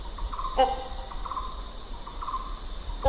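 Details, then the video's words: Hornbill giving one short, harsh, nasal call with a buzzy, layered tone, plus a second call starting at the very end, over a steady high insect drone and faint fluttering notes. "The Sounds of Hornbill Birds"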